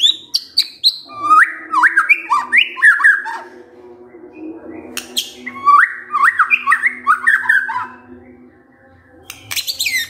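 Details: Kretekan from a white-rumped shama, sung to stir emotion: a few high opening notes, two bursts of rapid bouncing, twisting phrases separated by a quieter gap, with scattered sharp ticks throughout.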